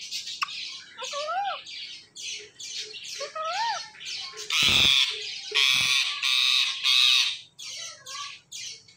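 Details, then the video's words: Pet talking parrots giving repeated harsh, noisy squawks, mixed with a few clear rising-then-falling whistled notes and sharp clicks, with music faintly in the background. "TALKING PARROT"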